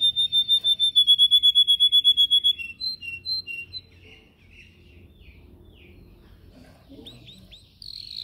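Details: Yellow canary kept in a cage for song training, filmed on a phone: a steady run of about fifteen repeated whistled notes, then softer scattered chirps and a faint final phrase.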